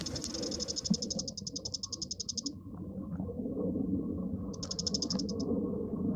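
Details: Bull-headed shrike calling in two rapid, high chattering bursts, the first lasting over two seconds and the second shorter, over a low rumbling background.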